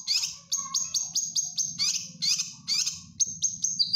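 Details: Training master of a cucak kinoy bulbul for caged birds: quick sequence of harsh scratchy bursts and short high whistles at about two per second, over a steady low hum.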